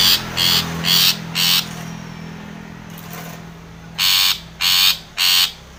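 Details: Long-tailed shrike challenging a rival: four rasping notes, a quiet gap of about two seconds, then three more loud, harsh buzzy notes.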